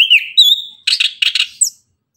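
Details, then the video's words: Orange-headed thrush singing in the morning, a lively varied phrase: a clear whistled note sliding up and holding, then a burst of rapid harsh buzzy notes, ending with a sharp falling squeak. "Anis kembang tembakan gacor pagi hari, bunyi langsung nyaut gacor"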